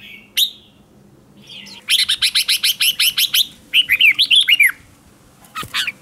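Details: Decoy Red-whiskered bulbul in competition singing meant to draw in other bulbuls: a lone chirp, then a rapid string of about ten sharp repeated notes followed by a burst of looping, slurred whistles, and a short final flourish.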